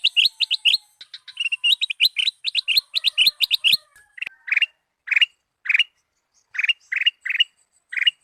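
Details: Sooty-headed bulbul (Kutilang Emas) song used as a lure for caged birds, in full variation. Rapid bright chirps and tweets run in quick clusters, then slower, separate, slurred notes repeat at intervals.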